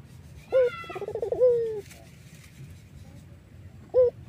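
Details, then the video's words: Collared dove of the Iraqi strain, praised as sweet-voiced and used as a decoy: a short note, a fast pulsed trill, a long coo sliding down, and another short note, recorded more softly. "BURUNG PUTER IRAK GACOR MERDU"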